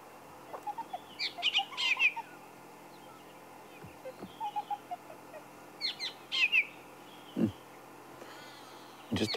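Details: A fork-tailed drongo at sunrise in Sabi Sand, South Africa, 28 February, gives scattered bursts of sharp, metallic, twanging notes, imitating woodland and brown-hooded kingfishers and a francolin, with lower soft notes and a faint voice behind.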